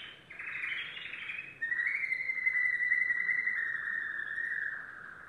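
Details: Yellow domestic canary producing a rolling chirped trill that flows into a long, smooth, sustained warbling note lasting several seconds, slowly fading at the end.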